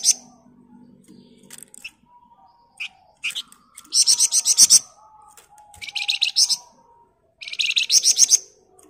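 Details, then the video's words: Lively flamboyan bird in dense ngebren song, used as master audio to teach other birds: three stuttering bursts of fast, harsh, buzzy notes, each about a second long, with a few thin chips and clicks between them. "Burung Flamboyan Gacor Ngebren Rapat"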